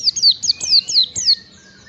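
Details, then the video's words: Oriental white-eye (pleci) song used to train caged birds to sing: a rapid run of high, sharp descending whistled notes, about six in quick succession, fading out at the end. "masteran pleci agar cepat ngalas bukpar"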